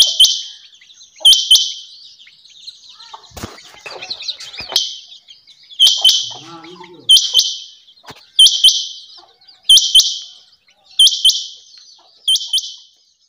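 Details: Quail known locally as chinga batair calling repeatedly in crisp high double chirps roughly every 1.3 seconds, with brief rustling, a fluttering noise and a soft voice in the middle, over a constant high hiss.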